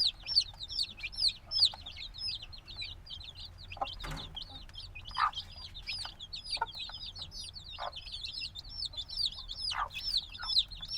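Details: Newly hatched black chicks, a few days old and very noisy, recorded binaurally in the field: constant shrill peeping from many chicks, each note a quick high rise and fall, crowding together with a few duller thuds.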